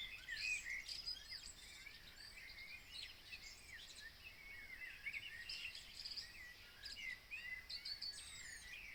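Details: Birds singing at 03:30 outside Copenhagen in late June 2026, a dense chorus of many voices trading bright whistles, rapid twittering trills and thin chips, continuous throughout with a soft steady background hiss.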